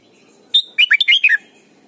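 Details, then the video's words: Red-whiskered bulbul from Thailand, a song used to teach young birds: one clear whistle followed by a rapid rollicking string of about five warbled notes that dip and rise. "นกปรอดหัวจุก Thailand Bird: เสียงดีมาก (สอนลูกไก่) เต็ม - ฝึกร้องเพลงร้องเพลงยอดหรือเสียงบิด"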